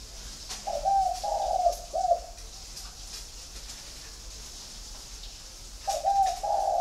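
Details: Spotted dove, one of a flock kept at a bird farm near Hanoi, Vietnam. A phrase of three low, hollow coos is followed by about three seconds of quiet, then a new coo phrase begins. Faint clicks and room noise.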